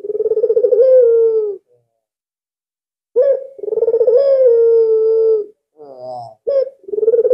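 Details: Albino Barbary dove used as a lure to draw other doves into calling, giving long, low, purring coos of over a second each, separated by silent gaps and a short broken note.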